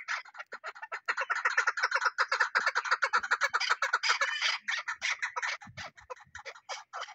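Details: Chukar partridge giving a rapid chuckling series of short clucks, about two or three per second, steady and fairly loud, with a few faint low thumps near the end.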